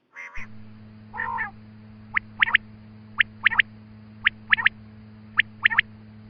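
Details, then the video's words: Quail call used to lure quail for hunting: after two harsh opening notes come short sharp notes, mostly in quick groups of two or three, repeated over several seconds over a steady low electrical hum. "Batair Ki Awaz |Quail Calling Batair Ki shikar Ki Awaz"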